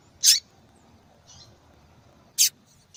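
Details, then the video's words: Female yellow-bellied seedeater calling: sharp high notes about two seconds apart, a faint softer note between them, quiet background. "Fêmea de Papa capim Chamando Muito !"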